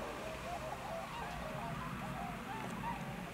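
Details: Whistling swans (American subspecies) in Akita Prefecture, Japan, on 20 November 2020: soft, mellow hooting and yelping notes from several birds overlap in quick succession over a steady low background rumble.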